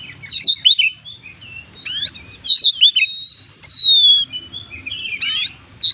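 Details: A kept Oriental magpie-robin singing energetically in full mimicry-filled style, with a distinctive repeated burst. It gives varied bright whistles, quick slurred warbles and sharp rising sweeps, plus one long high drawn whistle midway. The background is quiet.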